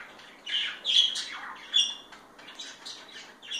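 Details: Two pet parakeets being affectionate with each other, giving scratchy, high squawks and buzzy warbled notes that come in quick irregular bursts, with sharp peaks near one and 1.8 seconds.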